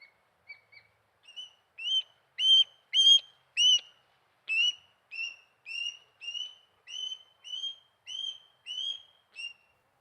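An osprey gives a series of thin, high whistled notes, under two per second, that build slightly in strength, then hold steady. The voice is surprisingly small for so large a bird.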